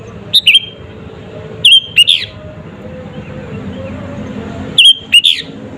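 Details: Lure song of a sooty-headed bulbul used to rile up rival birds: three sharp chattering phrases of two to three clipped notes each, the last ones slurring upward, separated by pauses of over a second, with faint low hum beneath.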